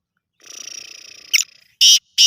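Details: Black francolin voice: a thin rasping buzz leads into loud, harsh, broad screeching notes given in short separate bursts.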